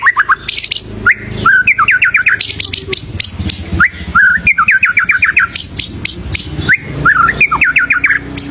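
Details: White-rumped shama (murai batu) song used as a training recording for other birds: varied, rich phrases of rapid repeated chips, sweeping whistles and trills. High ticking notes are mixed with lower fluting ones, and the bursts change every second or so.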